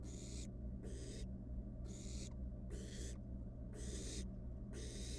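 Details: Nestling barn owl, wild, in a monitored nest box while playing with its dinner: repeated noisy hissing screeches, each roughly half a second, six in five seconds, with a steady mains-like hum underneath.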